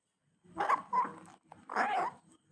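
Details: A pet African grey parrot, asked how a dog barks, gives three hoarse, dog-like barks in imitation, with its owner's voice prompting it nearby.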